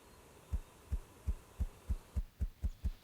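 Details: A ruffed grouse drums at dawn just after sunrise on April 18 in early spring: about ten deep, muffled thumps that start slowly and speed up steadily, against an otherwise quiet background.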